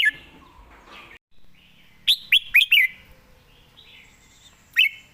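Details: Relaxed, perched Red-whiskered bulbul with fine, fast phrasing gives a tight run of four loud, looping whistled notes, then a lone bright whistle later, amid soft background twitter.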